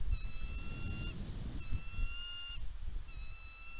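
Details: Bald eagle at its Catalina Island nest in California, USA, 29 March 2022, nest cam, as a bird and fish are brought in: three drawn-out, level, piping whistles with clear overtones over constant low wind noise.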